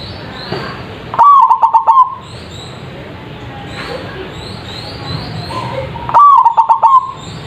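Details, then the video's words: Zebra dove (perkutut) lure song with a big voice, played to make birds respond: two separate phrases of quick, stuttering, bubbling coos about five seconds apart, each roughly one second long, over a soft noisy background. "PANCINGAN PERKUTUT anti GAGAL suara GEDE langsung nyaut.!!!"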